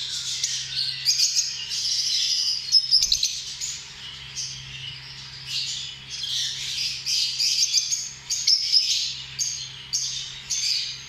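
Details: Lovebirds squawking and chattering without pause, shrill grating notes rising and falling in loudness over about eleven seconds, over a soft constant low hum.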